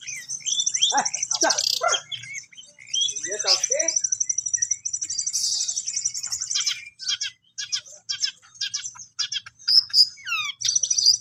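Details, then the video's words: Long-tailed shrike, kept as a cage bird in Indonesia and called cendet locally, singing a varied run of harsh scratchy notes, high buzzy trills and quick chattering phrases, with pauses and sharp downward slurred whistles near the end. "BURUNG CENDET"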